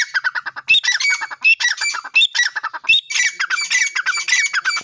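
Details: Grey francolin calling loudly, harsh squawking notes in rapid bursts, strong harmonic calls repeated around eighty times a minute, with brief loud pauses between phrases.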